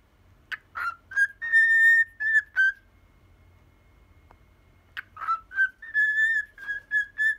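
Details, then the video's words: Ten-year-old pet cockatiel whistling "Poppippo": a few quick rising chirps lead into held, pure whistled notes, then a pause with faint room hum before another phrase of steady notes and short repeated toots. "オカメインコ ピカちゃん♪ぽっぴっぽー♪やってます"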